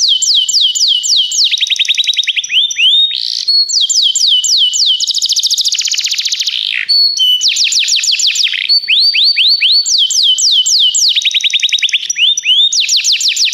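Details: Canary singing, recorded for training other canaries. The long, varied song alternates series of sharp descending whistled sweeps with fast rolling trills and brief steady tones, and carries on without pause.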